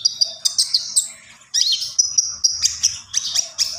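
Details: Common iora in gacor song: sharp high chirps and short trilled bursts, a quieter dip, then a dense stream of ringing twitters.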